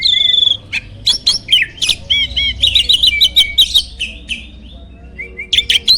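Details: Loud, richly varied song of a champion starling kept as a master for training contest birds, a dense run of high squeaky whistles, chirps and clicks with barely a pause.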